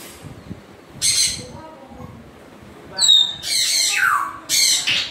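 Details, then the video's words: African grey parrot giving a harsh squawk, then a cluster of raspy bursts with a thin whistled tone and a downward-sweeping screech, closing on another loud squawk. "african gray parrot sounds 3"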